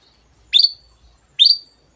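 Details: Long-tailed shrike giving two sharp, upslurred then level whistled notes almost a second apart.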